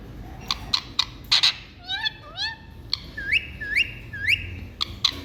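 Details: Indian parrot kept as a pet in India, showing affection to its owner, gives clear upslurred whistled calls, first in a pair, then three evenly spaced, with sharp clicks between them.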